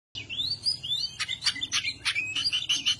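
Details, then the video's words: An Oriental magpie-robin in agitated, rival-provoking display gives clear, rising whistled phrases, then a rapid burst of harsh, scratchy notes mixed with sharp whistles, all high-pitched. "kacer anda ikut ngobra"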